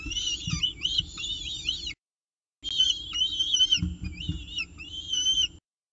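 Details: Peregrine falcon at a nest with breakfast, CSU Orange, 19 October 2018; thin, high whistled notes sliding up and down in quick overlapping bursts, two runs separated by a short gap, with soft low thumps beneath.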